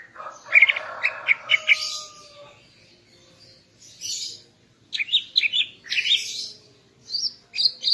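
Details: Female greater green leafbird in morning song to excite the male: a rapid run of chattering notes over a lower steady whistle, a pause, then clusters of high chirps and buzzy notes.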